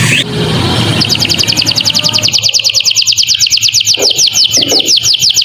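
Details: Canary masteran song with lovebird-style phrases, for training young birds: opens with a rough noisy rush, then settles into a long, fast, even trill of sharp high repeated notes.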